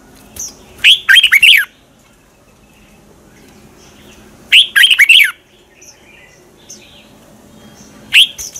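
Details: Red-whiskered bulbul decoy bird in morning song of the twisted-voice style, used to train and provoke bulbuls to sing in competition; three short bursts of bright warbled notes roughly every three and a half seconds, quiet pauses between.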